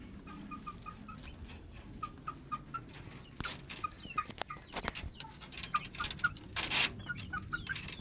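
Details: Plump chickens giving a steady series of short, clear peeps, evenly spaced about every quarter second, growing busier toward the end with scattered clicks and rustling in the background.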